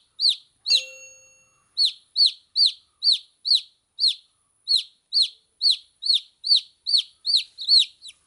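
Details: Baby chicks peeping: high, downward-arching chirps repeated about twice per second, roughly seventeen notes with uneven spacing, plus one brief faint tone near the start.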